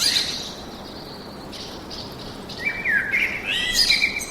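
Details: Forest birds: a high chirp opens, faint notes follow, then from about 2.7 seconds a louder warbled whistling phrase rises and twists with high chirps above it.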